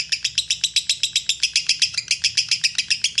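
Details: Rapid, regular lovebird chirping, bright and squeaky with several notes per second, played to train birds to answer within five seconds; a soft low hum runs underneath.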